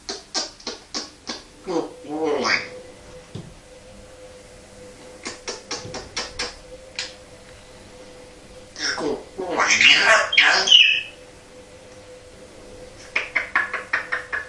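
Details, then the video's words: Male African grey parrot from Devon, England, mimics a dog with a few harsh, barking bursts between runs of quick dry clicks and taps, over a faint steady hum. "Parrot barks like a dog!"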